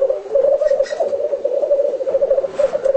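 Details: Displaying black grouse, home footage: a dense, continuous low bubbling warble with rapid tremolo pulses. Faint hissing bursts sit in the background.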